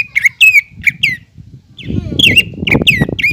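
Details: Greater green leafbird singing vigorously (gacor) to encourage other leafbirds to start singing. Loud whistled, downslurred notes repeated in quick succession. A gap follows, then more notes over a low, rumbling background noise.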